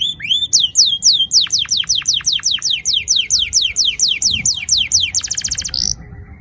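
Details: Canary long rolling song, played to get young canaries singing: a swift series of repeated downward-sweeping whistled notes, about three per second, ending in a dense high buzzy burst, over low background noise.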